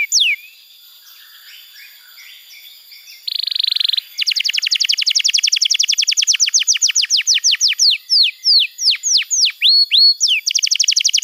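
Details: Tutor recording of canary song for training juveniles and stimulating quiet birds: a single falling whistle, faint twittering, a buzzy burst, then a long fast trill of crisp downsweeping notes that gradually slows into spaced, sharper falling whistles.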